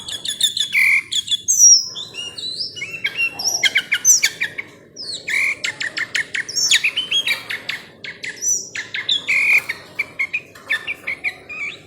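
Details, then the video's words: Tame sooty-headed bulbul singing loudly and close by: a lively run of varied whistled notes with rising and falling slurs and short chattering bursts, in a quiet setting. "KUTILANG JINAK MANJA"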